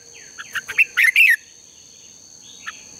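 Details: Red-whiskered bulbul singing in contest style as a training lure: one quick burst of warbled, tumbling chirps lasting under a second, then near-silence with a faint distant note and a steady high ringing tone.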